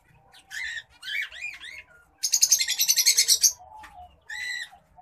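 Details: White-headed munia courtship song: a few harmonic, arched chirps, then a loud, rapid, buzzy pulsed trill lasting over a second, followed by a short sharp note. The background is quiet.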